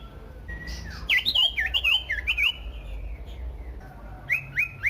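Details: Loud common iora song aimed at getting other ioras to sing: a long even whistle, then a rapid series of looping rising-and-falling whistled notes, a pause, and three short rising whistles.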